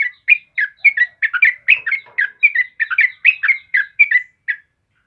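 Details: Song of a yellow-vented bulbul, kept as a caged bird and used to train other birds: a lively string of bubbly, liquid whistled notes, about eighteen short phrases in quick succession with brief gaps, all clear over silence.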